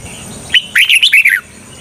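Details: A decoy red-whiskered bulbul, used to draw wild birds into traps, gives a single lively phrase of about five quick, bright, warbled notes that rise and fall, against a faint constant high hum.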